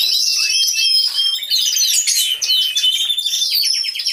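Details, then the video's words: Canaries in an aviary singing loudly and continuously: piercing whistled tones layered over rapid chattering trills, ending in a run of quick repeated descending notes. "CANTO DE CANARIOS"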